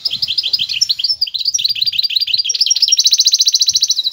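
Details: A goldfinch hybrid (mule or "bunduq" cross) sings a fast, high tinkling song of twittering notes, ending in a rapid trilled run of repeated chips.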